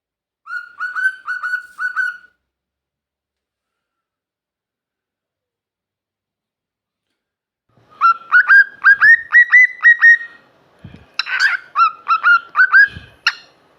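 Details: One of two male pet cockatiels, described as crowing away, gives quick runs of bright, harmonic chirping notes, several per second, after a pause.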